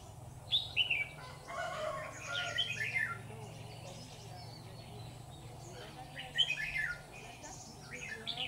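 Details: Decoy-trapping scene in Vietnam with a red-whiskered bulbul giving chirpy, warbled whistle phrases in three spaced bursts, quiet gaps between, low mechanical hum throughout.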